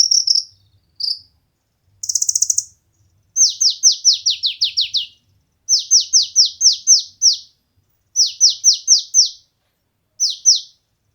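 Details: Kolibri ninja (konin) song as training material for competition birds: groups of five to seven sharp, high notes slurring downward, repeated in bursts with short gaps, after a couple of brief buzzy trills.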